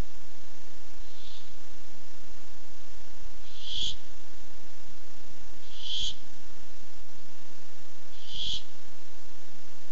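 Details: Barn owl coming by for food, dated 8-7-15: a soft hiss, then three loud raspy screeches spaced about two seconds apart, over low steady hum.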